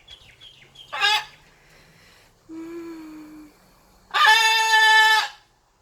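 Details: Pet blue-and-gold macaw indoors while playing, giving a short harsh squawk, a lower drawn-out nasal note, then a long loud raucous squawk; a person talks briefly beforehand.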